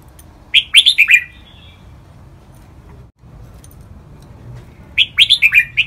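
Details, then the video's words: In this lively 'lak wai' training song, a red-whiskered bulbul gives one rapid phrase of five bright whistled notes. A long quiet gap with a brief dropout follows, then another fast phrase of six notes. "นกกรงหัวจุก | เสียงร้องเพลงลากหวาย คึกคัก คมชัดนกฟังร้องตามชัวร์ (เสียงฝึกร้อง)"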